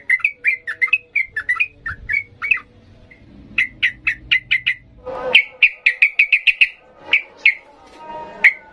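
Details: Excited sooty-headed bulbul in 'ngalas' style, sung as a training model for young birds: crisp, evenly spaced chirps with short gaps, then a faster burst of sharp repeated notes after a loud click, ending in scattered chirps.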